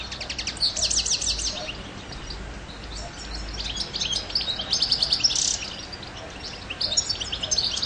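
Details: European goldfinch song: tinkling high twitters mixed with rapid buzzy trills, in bursts that pause briefly and resume, with steady low background noise.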